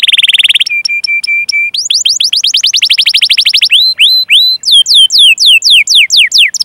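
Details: Canary in long rolling song, used to prompt other canaries to sing: a dense buzzy trill, then steady chirps repeated about four per second, a rapid rolling run, and finally clear downslurred whistles in even succession.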